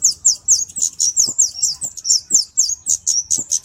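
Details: Kemade flowerpecker song for master training and luring: a rapid, continuous string of very high, sharp, downslurred chips, roughly four per second, bright and clean, with soft low taps in the background.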